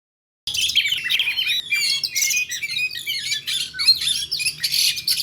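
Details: Oriental magpie-robins in a fight, used for mental training of birds: a dense, overlapping torrent of harsh squawks, chirps and rapid whistled notes starting after a short silence, with several voices tangled together and little pause.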